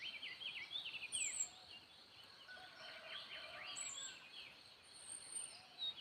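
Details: Birdsong just before daybreak in the wild, a busy chorus of short wavering chirps and thin high whistles, louder at first, then softer, with a constant background hiss.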